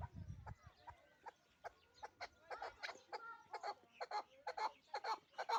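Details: Chukar partridge from the Pamir, in Dushanbe, with clucking notes starting scattered and becoming a quicker, louder series; a brief low thump at the start.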